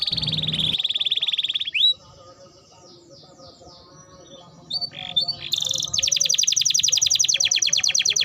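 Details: Canary in full voice on a training recording for birds: a buzzy, rapid trill at the start, a long quiet gap with faint warbling, then a bright sweep into a fast, even, repeated trill.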